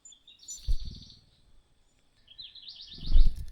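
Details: A hungry common cuckoo chick is pressed down by a tiny host bird and denied food. High rapid pulsed trills rise and fall in two bouts, with low thuds and scuffling beneath them.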